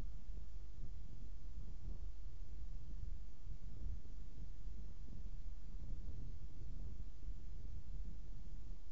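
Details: Only low, constant wind rumble on the microphone is heard, with no animal sounds.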